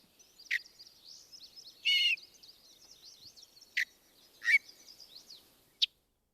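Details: Yellow-breasted chat (Icteria virens) in briars gives loud, separate harsh notes, a rasping cackle and a falling whistle, spaced a second or more apart, over faint twittering of other birds; finding: Yellow-breasted Chat.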